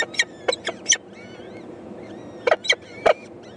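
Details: Begging from four peregrine falcon eyases telling their mother they are hungry, 14 May 2012: clustered harsh, clipped chips in two bursts, interleaved with faint high whistled slurs, over low background hiss.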